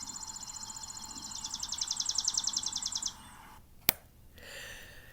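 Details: Chipping sparrow singing from a tree at Arabia Mountain, Georgia, in spring, nesting season: dry, mechanical trill of high chips, about eleven per second for three seconds, low hum, ending with a sharp click.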